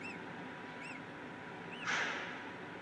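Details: Peregrine falcon in Brussels, Belgium, 8 April 2016 at 15:32, giving three short, arched, squealing notes about a second apart, over steady city hum with a brief noisy burst near the end.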